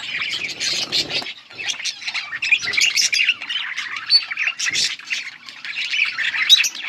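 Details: Yellow budgies, 21 August 2024, give a steady stream of high scratchy chirps and warbling squawks, with short rustling sounds mixed in near the start.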